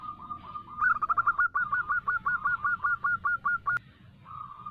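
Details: Female local zebra dove calling to a male, recorded as a lure. A held tone leads into a quick even run of about twenty hooked notes, then a pause and a brief level tone.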